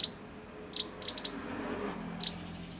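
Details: High, sharp piercing chips from a sunbird singing in the 'roll nembak' style used for tutoring other birds, given singly and in quick clusters of three to four, with a faint thin trill near the end.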